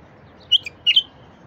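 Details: Short bulbul phrase, played to bring silent wild bulbuls into song: two bright, clipped whistled notes with a soft note between, in under a second, over quiet hiss.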